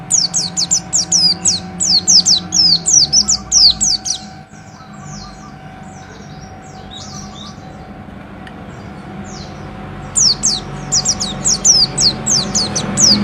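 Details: White-eye singing energetically, a fast run of high, thin, sweeping slurred notes about four per second, pausing for several seconds of low hum before resuming.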